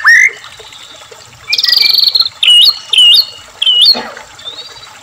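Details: White-rumped shama phrases played to make captive shamas sing: a rising whistle, a buzzy rattling trill, then several crisp looping whistled notes spaced about half a second apart.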